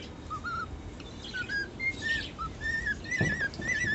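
A male cockatiel sings a string of clear, whistled notes that slide up and down like a tune.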